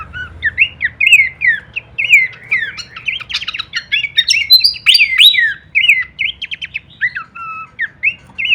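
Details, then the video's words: Horsfield's babbler (pelanduk semak) delivering full-variation kleperan song as masteran audio: rolling slurred whistles mixed with rapid sharp ticks and a fast rattled burst, over a low rumbling background. "masteran andalan khas burung pelanduk semak suara full variasi kleperan"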